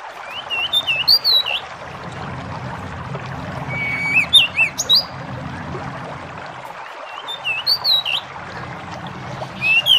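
Bar-winged prinia giving bursts of sharp, high chirping notes, a short phrase every three to four seconds, over a steady low rumble of background noise.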